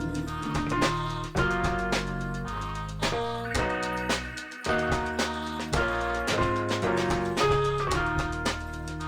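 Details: Upbeat instrumental music with struck, piano-like chords and a steady bass line, and no animal call.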